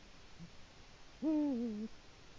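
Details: Autumn evening at a Latvian eagle-owl nest, 1 October 2017, the owl visiting and scraping the nest bowl: a faint low note, then a single deep, even hoot that sags in pitch near its end, as a territory call.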